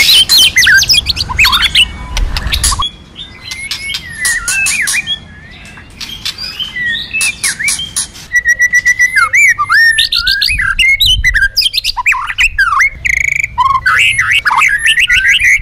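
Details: Varied white-rumped shama song used to train birds, mixing many voices and female song meant to stimulate males. Rich bursts of whistles, chirps and slurred notes come in quick phrases, broken by short quieter gaps.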